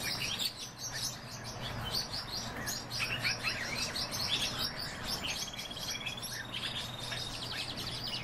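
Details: A breeding pair of pine grosbeaks gives busy, overlapping high chirps and short whistled notes almost without pause, with a steady low hum underneath.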